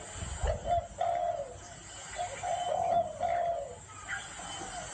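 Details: Spotted dove gáy gù cooing: a short note then longer low coos, repeated through the passage, with a low thump near the start and faint higher chirps in the background.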